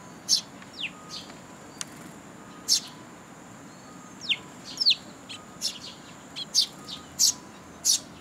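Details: Young sparrows and nestlings with their parents come to be fed at a Tenmangu shrine on 2 July 2022. Sharp, high, thin chirps burst out irregularly, several per second at times, against a faint steady background hiss.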